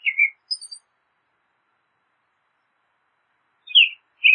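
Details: American robin song, short whistled phrases around two to three kilohertz, a brief higher twittering note, then a long silence before two more whistled phrases at the end.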